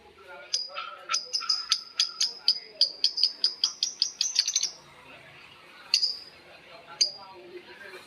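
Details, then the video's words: Lovebirds in long ngekek chatter, birds answering each other: a quick series of sharp, high, clipped chirps, about three a second, accelerating before stopping, then two single chirps after a pause. "Suara Lovebird ngekek panjang❗Suara bikin Lovebird Betmen vs vio vs paskun saling bersautan."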